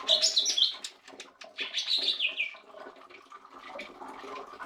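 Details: Lesser green leafbird song: quick bright whistled phrases and chattering notes high up, a rich warbling run near the second second, then softer twitters over a low background hum.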